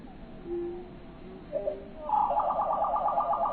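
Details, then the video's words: Faint, drawn-out whistles give way to a loud, rapid bird trill of evenly spaced pulses that holds steady until the end, over a low background rumble. "Relaxing With Natural listening to bird sound"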